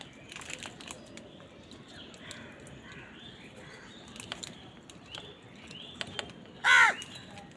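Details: Crows on a winter morning, fighting with wild birds for food: after a stretch of faint chirps and scattered clicks, one loud, harsh, harmonic-rich caw bursts out near the end, lasting under half a second.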